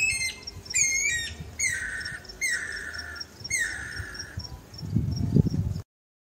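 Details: Guira cuckoo recorded on a countryside farm: a series of four loud, harsh, descending calls with bright harmonics, roughly one per second, followed by a low rumbling noise at the end.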